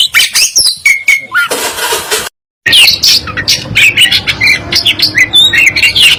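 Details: Local East Java black-breasted Oriental magpie-robin in a masteran recording: sharp whistled notes and chips, then a hiss of noise and a brief silence, followed by a rapid stream of high twittering phrases.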